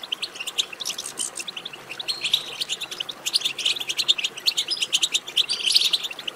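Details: European goldfinch twittering chatter used to stimulate other goldfinches to sing: dense bursts of high, quick, tinkling notes with liquid trills, rising in intensity toward the end, with no pause longer than a moment.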